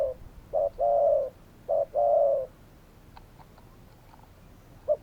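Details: Spotted dove cooing: short notes followed by a longer, slightly falling coo, the phrase repeated twice, then faint soft notes in a quiet background.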